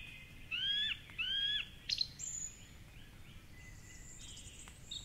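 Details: A male song thrush (Turdus philomelos) sings at 4:45am in the dawn chorus from a tall treetop perch by the Curragheen River, Cork City, in rain: a clear, whistled upslurred phrase twice, then a sharp note, with softer distant birds behind.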